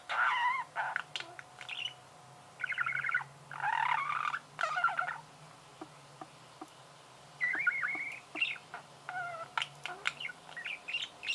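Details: Budgerigar chatter: blocks of buzzy, rattling warble and squeaky chirps alternate with quieter stretches of scattered clicks, then a rising whistled note and a final burst of twittering.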